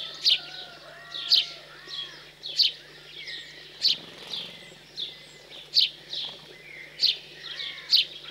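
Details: Recently fledged house sparrows begging as they are fed, cold countryside in central France, June 15 2020; a sharp chirp repeats roughly every second and a quarter, with faint lower whistles from another bird.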